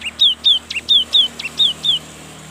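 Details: Young cinereous tit in energetic song to coax silent tits into singing: seven or eight repeated two-part phrases, each a brief high chip sliding into a downward whistle, over steady background noise.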